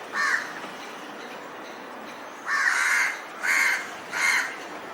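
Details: Harsh crow caws while the birds prepare to build a nest: one short call, a pause, then three loud raspy caws in quick succession against low background hiss.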